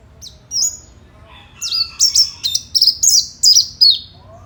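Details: Oriental white-eye in fighter-style song, played to prompt other white-eyes to respond: a few thin high whistles, then a quickening series of sharp, high, downslurred chirps with buzzy edges.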